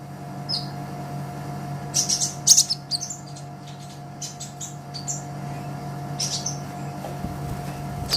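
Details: Sunbird song for training caged songbirds, from an olive-backed sunbird: a few sharp, very high chirps and a brief twittery burst early on, then quieter notes against a louder low rumbling background.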